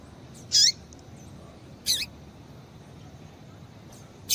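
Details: Female double-collared seedeater calling to warm up a male. Two sharp, high chips about a second and a half apart, each ending in a falling slur, then another call begins at the close.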